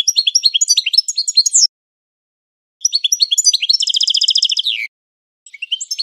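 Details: European goldfinch singing a classic training song in three bursts split by pauses: quick liquid twitters, then a long rapid buzzy trill, with a short twittering phrase after the last pause.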